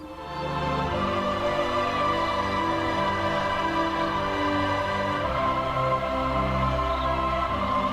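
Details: Sustained instrumental music plays throughout, with no animal calls.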